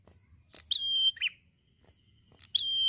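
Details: Relaxed 'gacor santai' prenjak song: a crisp click then a bright, even whistle held about half a second and a buzzy dip, followed by a second phrase starting the same way.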